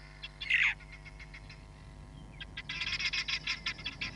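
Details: Hamerkop at Nkorho Bush Lodge, filmed by a live camera on 31 July 2021: one loud, harsh falling note, then a fast run of short, high, clicking pips over a steady low electrical hum.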